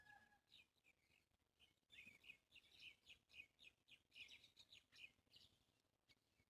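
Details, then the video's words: Birds chirping outside, with bright, quick chirps rising and falling, repeated roughly once a second in a lively sequence, some overlapping calls from other birds, over a soft low background hum. "birds chirping outside"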